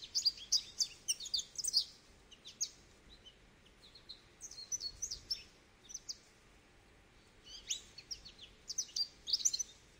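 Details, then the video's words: A goldfinch twitters in quick, tinkling bursts of high chirps, falls quiet for a few seconds, then returns with another rapid run of bright notes. "Goldfinch Bird Sounds"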